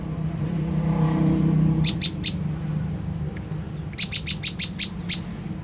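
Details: Olive-backed tailorbird lure call meant to make another bird answer: three high chips rise out of a low engine-like rumble, then a rapid series of about eight sharp chipping notes.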